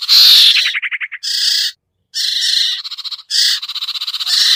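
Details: Sirtu bird lure used by trappers: a loud rasping burst, a run of rapid pulsed notes, then repeated buzzy chattering phrases with a short silence in the middle.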